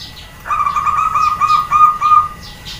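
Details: Female zebra dove calling to draw answers from males: one run of quick, even, clipped notes lasting nearly two seconds, with faint higher chirps behind.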